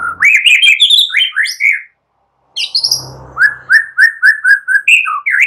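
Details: White-rumped shama, young forest bird, singing to elicit a reply: a fast jumble of high whistled notes, a short gap with faint low hum, then a steady series of repeated clear whistles and rising slurs.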